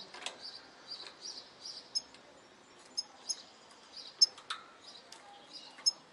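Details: Goldfinch hybrid singing in a broken, patchy style: short high chirps and thin buzzy notes in loose bursts, a few sharp ticks standing out, with a faint low background hiss.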